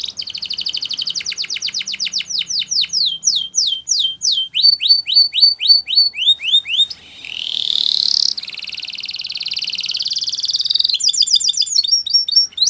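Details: Training song of a Spanish Timbrado canary: long runs of rapid downslurred metallic notes, a rising buzzy swell around the middle, then a fast even rattle and short high trills at the close.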